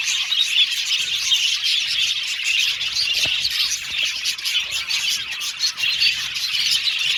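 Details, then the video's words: Aviary colony of budgerigars (Australian budgies) chirping and singing: a steady wall of busy, high-pitched warbling with scattered squawky notes and quick tweets layered on top. "Budgies Singing and Chirping Sound"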